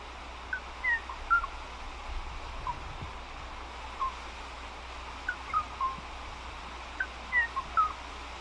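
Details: Kauaʻi ʻōʻō recorded on Kauaʻi in the 1970s by John L. Sincock, giving short, clear, fluting whistles, some rising and some falling, in loose clusters of two to four over a steady low recording hum.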